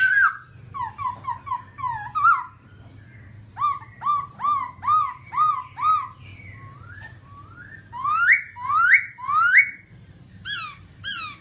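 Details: A long babbler performance of repeated whistled notes in runs of four to six. Later phrases are louder, rising slurs, with short pauses between the groups.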